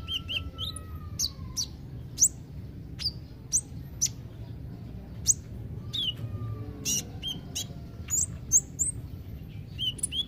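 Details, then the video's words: Caged kolibri ninja, a sunbird, uttering scattered high, sharp tweets and brief squeaky notes, some in quick pairs, over a constant low background rumble. "Terapi kolibri ninja (konin ) yg males bunyi"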